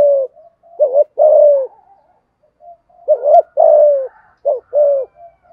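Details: "Thúc gù" cooing of a spotted dove in the "giọng thổ" style, called "hạp bổi". Two clear low phrases, each a quick wavering coo followed by a drawn-out, descending coo. A third phrase begins at the end, with soft murmurs between phrases.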